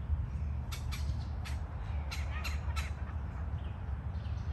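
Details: Red-bellied woodpecker (Melanerpes carolinus) calling: about six harsh, raspy notes in quick pairs over two seconds, against a steady low rumble of wind or distant traffic.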